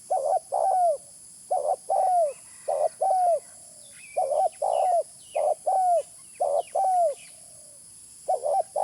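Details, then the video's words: Spotted dove calling, recorded for use as a bird lure. Low, mellow coos in short bursts, each phrase ending in a downward-slurring note, repeated in groups of two or three with brief pauses. A steady high hiss runs throughout. "Suara pikat terkukur original"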